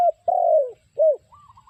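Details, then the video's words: Close spotted dove coo, the kind used as a lure for trapping birds: a short note, a long slowly falling coo, then a brief arched coo, followed by faint higher notes and low background noise. "The Sound Of Spotted Dove Bird"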